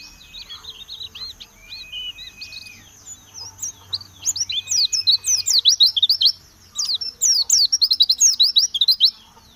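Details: Oriental white-eye giving high thin notes and a few drawn-out whistles, then bursting into fast, loud, tumbling twitters of quick sweeping chirps that run on with one short break.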